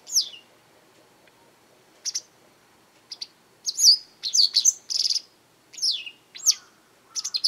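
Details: Garden-side Japanese wagtail calling frequently: a descending chirp, scattered short ticks, then a dense run of sharp chirps and buzzy trills, ending with quick doubled notes.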